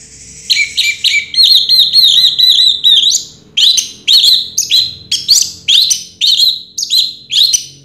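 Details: Orange-headed thrush, a first-place champion singer of 2022, delivering a fast, varied song of high, looping whistled notes and sharp chirps, about two phrases a second, with brief pauses between bursts.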